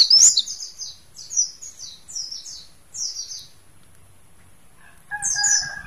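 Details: Mountain white-eye, a kept bird from Mount Slamet, sings in loud bursts of very high, quick slurred twittering notes, pausing near the middle, then one more burst while a lower steady tone sounds alongside.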